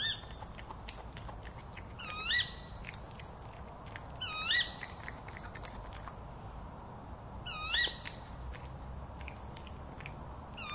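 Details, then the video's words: A female Tawny owl screeching from a nearby tree at night in a yard in Somerset, England, 17 September 2017, gives three sharp, hoarse 'kewick' calls two to three seconds apart while a badger crunches peanuts nearby. "a female Tawny owl calling"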